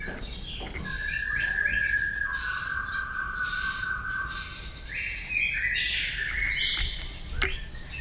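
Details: White-rumped shama singing in the morning during voice training: long, clear whistled notes held steady, then rising to higher whistles, over a steady rushing background noise.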